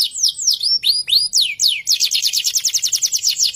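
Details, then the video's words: Canary, the type labelled FFYS, in full song: swooping falling whistles and slurred notes give way to a fast, steady, high rolling trill. "Kenari FFYS lagunya istimewah"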